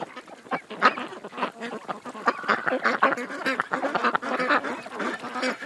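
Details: Ducks at a creek, a thick chorus of overlapping nasal quacking and honking that swells and dips.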